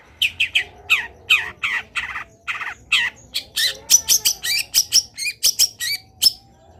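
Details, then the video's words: Long-tailed shrike in full, lively song: a fast run of harsh, scratchy high notes that speeds into a rapid chattering series, with a faint whistle underneath. "CENDET GACOR BIKIN BURUNG CENDET LAIN IKUT BUNYI - MASTERAN CENDET GACOR FULL ISIAN"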